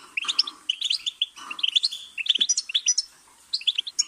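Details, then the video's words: Goldfinch singing: rapid tinkling twitters and short chirps with buzzy notes, delivered in quick bursts with brief pauses, no other sounds present. "Goldfinch's Singing"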